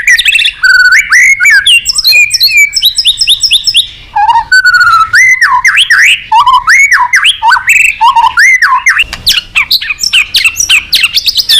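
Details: Energetic white-rumped shama song meant to call a rival: loud, fluty whistles mixed with rapid chattering runs and deep swooping slurs, delivered almost without pause.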